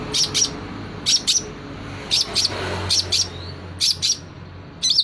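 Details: Long-tailed shrike in energetic song with borrowed prinia and kingfisher phrases, giving harsh, high, paired notes in short bursts roughly once a second, with faint hiss and low hum behind.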